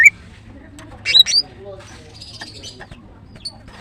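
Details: Female greater green leafbird (Chloropsis sonnerati), a kept bird, gives a short burst of high, sharp chirps, then a thin drawn-out whistle and a few scattered notes over a low background hum.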